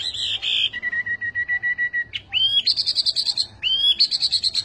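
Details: Chinese hwamei singing: two bright high whistles, then a long steady whistled tone, then loud upward-sweeping slurred notes that break into ringing high phrases, over a quiet low hum.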